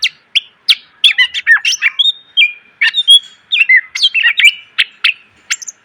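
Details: Caged greater green leafbird singing a varied training song: quick sharp chips mixed with short whistled slurs and buzzy notes, delivered in tight bursts with brief gaps.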